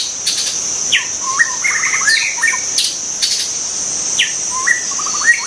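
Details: Wild white-rumped shama song, two similar phrases each opening with a sharp downslurred whistle followed by a rapid series of short stuttering notes, against a constant shrill buzzing of insects.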